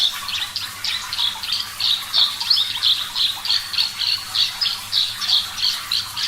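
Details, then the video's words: Javan bush lark song, a lively training recording with water sounds: a dense stream of short bright notes repeated about three times a second, steady and chattering high over a faint low hum. "Masteran Branjangan Parva Gacor Suara Jernih"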